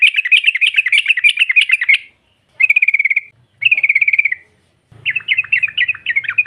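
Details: Female yellow-vented bulbul giving rapid ngropel calls meant to provoke rival birds: a two-second bubbly chatter, two trilled phrases, then a looser run of warbling notes over faint low rumble.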